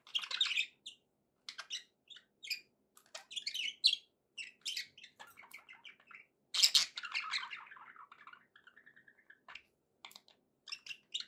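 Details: Happy budgies chattering indoors: short scratchy chirps, then a loud squawk followed by a run of softer, falling warbled notes and more quick chirps.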